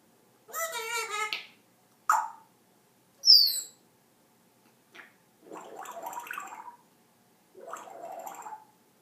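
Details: African grey parrot kept as a pet, making funny noises: a buzzy rising squawk, a sharp chirp and a high thin whistle, then two longer rough, gargling, chattering sounds separated by short pauses.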